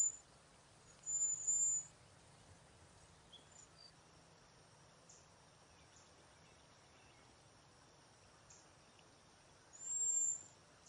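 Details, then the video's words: Cedar waxwing from a backyard flock passing berries and insects; two thin, very high, drawn-out hissing whistles, one early and one near the end, with long quiet gaps and a faint steady background hum. "Cedar waxwing call / song, passing berries / insects"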